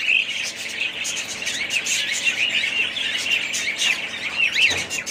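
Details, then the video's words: Budgerigars of one pet family chatter in high, rapid chirps and short upward-sweeping whistles, the crowded twitter running unbroken with a brief soft thud near the close. "ali family budgies parrots"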